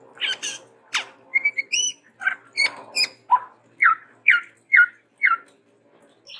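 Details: Chestnut-rumped babbler, described as a Sumatran endemic, in lively varied song: harsh chatter and squeaks at first, then a steady series of six clear, slightly falling whistled notes about every half second.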